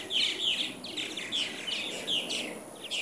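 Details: Purple martins in Katy, Texas, 2014, about 75 birds massing in the morning before leaving for Brazil; quick bright chirps repeated several times a second in a lively, overlapping chatter.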